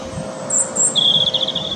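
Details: Singing European robin (Erithacus rubecula) at Teddington Lock, UK, captured handheld on a Nikon P900 in the wind: a couple of very high thin notes followed by a fast, sustained trill at a lower pitch, with wind rumble underneath.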